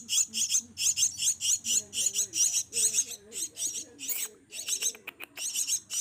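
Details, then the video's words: Javan myna nestlings, kept and raised from small, begging while being hand-fed: rapid runs of harsh, hissing high chirps in steady bursts about three per second, with short pauses and faint low murmuring underneath. "Kasi Makan Anakan Burung Jalak Yang Masih Di Suap"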